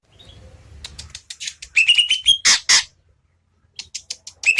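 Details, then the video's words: A soft distant whistle opens, then the greater green leafbird sings a rapid series of ascending chirps capped by two loud rasping notes, with a brief chattering phrase after a gap. "burung cucak ijo gede gacor"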